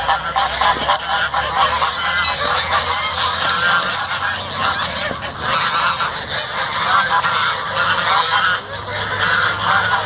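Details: Fighting geese giving a continuous barrage of loud, rasping honks, several birds calling over one another, with flapping and splashing-like broadband noise underneath for the whole stretch.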